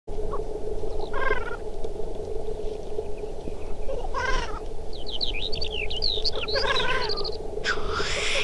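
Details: Black grouse during a chase and fight: a steady low dove-like bubbling drone runs throughout, broken by harsh stacked cackles, a burst of quick squeaky upslurred notes and a loud rushing hiss at the end.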